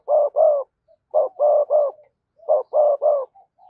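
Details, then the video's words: Spotted dove cooing as a lure for wild doves: three quick groups of two to three low, even coos, about two groups every couple of seconds. "cu gáy kích bổi hiệu quả/ giọng nhạy bổi nhất hiện nay"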